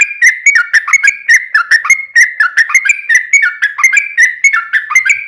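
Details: Lively sooty-headed bulbul pouring out a long rolling song, intended to provoke other bulbuls into song; fluty, bubbling whistles rise and fall in a fast uninterrupted chain throughout, without background noise.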